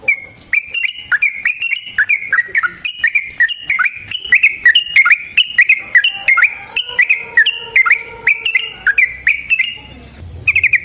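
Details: Long, unbroken fighting song of a yellow-vented bulbul, played to provoke another bird: a fast, bubbling stream of warbled notes that dip and rise continuously for about ten seconds, with a brief fresh burst at the end.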